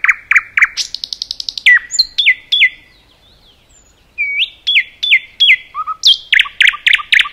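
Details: Nightingale song from a forest: loud chirps, a quick buzzy trill, descending whistled notes, a short silence, then further whistles and a burst of rapid loud chirps.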